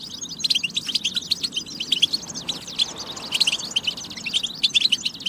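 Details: Song of a European goldfinch on a training batba for stimulating singing: quick tinkling chatter, a short softer dip midway, then renewed liquid twittering and buzzy trills.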